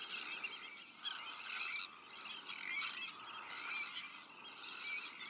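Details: Nesting colony of Sandwich terns mixed with black-headed gulls, arctic terns and common terns: harsh, rasping cries in clustered bursts about once a second over a constant background chatter of birds.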